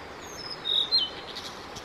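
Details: Singing male blue-and-white flycatcher, recorded 5 May 2022 during a roughly fifteen-minute performance; a short pair of clear, high whistled notes, the second dropping in pitch, over faint constant background noise.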